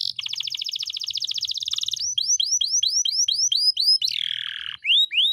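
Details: Pet canary in full, long-duration rolling song for bird tutoring: a rapid rattling trill, then a string of clear upward-sweeping whistles about four per second, a harsh descending buzz, and another rising whistle.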